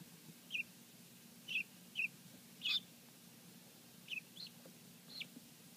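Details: A batch of domestic helmeted guineafowl keets, hatched the day before, give thin, high peeps, about seven short notes spaced irregularly, with a faint low hum underneath.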